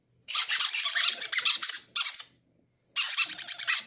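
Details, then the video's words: Baby parrots wanting to eat first; a long, raspy begging burst of rapid pulses, a shorter one, then a pause before another harsh rasping outburst, in a small room. "greedy baby parrots say i want to be the first to eat"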